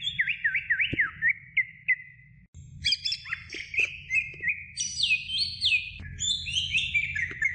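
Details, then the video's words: Greater green leafbird singing for a medium-length training recording meant to teach other birds: opens with looping, wavering whistles, then shifts to higher, richer warbled phrases with bright rising and falling slurs. "Masteran Cucak Hijau Durasi Sedang"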